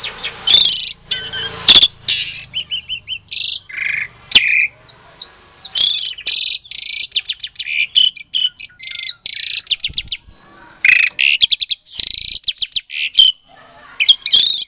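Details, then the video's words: Asian pied starling, captive-bred in Klaten, Indonesia, sings to stir silent starlings into answering; long varied medley of grating buzzes, whistled slurs, rapid clicking rattles and squeaky chatter, nearly continuous with brief gaps. "Suara Jalak Suren Pancingan, Jalak Macet Pasti Jadi Emosi Langsung Nyaut"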